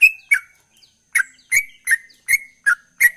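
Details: A high rising whistle and a falling note from a sooty-headed bulbul singing gacor, a short gap, then five more bright slurred whistles at a steady quick pace.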